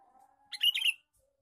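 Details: Male sooty-headed bulbul, lure call: a short, bright, bubbly phrase of tumbling notes, preceded by a faint, steady low tone.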